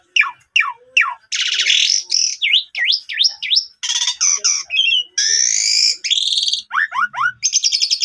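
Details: Asian pied starling in a song used to prompt silent or sulking starlings to sing, a fast varied medley of descending whistles, harsh buzzy rattles and V-shaped chirps with brief pauses.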